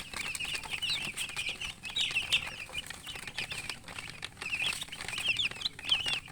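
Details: Chicks of the domestic chicken peep in bursts: clusters of high, slurred chirps swell and fade every second or so, with a background of clicks and light tapping.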